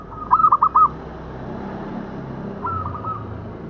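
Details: Local zebra dove, a sound used as a lure for trapping: a mid-pitched cooing phrase of four quick, rolling, warbled notes, then a softer second phrase after a pause of about two seconds. A steady low background hum runs throughout.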